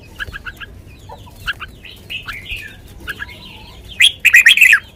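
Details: Sweet lak wai style song from a caged red-whiskered bulbul: scattered short chirps from several birds, then a loud, rapid burst of bright whistled notes at the end.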